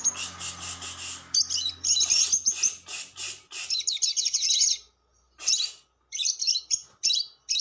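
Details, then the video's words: Long lure chatter of a lovebird, called ngekek panjang: dense, harsh, high-pitched squeaking bursts pour out almost continuously, then break into short separate shrill phrases after brief silences. "SUARA PIKAT BURUNG LOVEBIRD"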